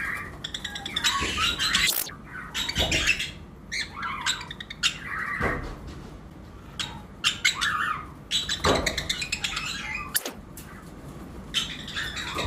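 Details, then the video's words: Breeding-season lovebirds, pairs of mutations kept in a flight colony, in an uneven chorus of sharp chirps and squawks in bursts, separated by quieter gaps, with a few low knocks. "Lovebirds Chirping Sound"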